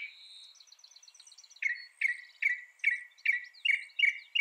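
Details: Northern mockingbird giving a string of sharp, downward-slurred notes repeated about twice a second, after a brief high whistle and soft chatter.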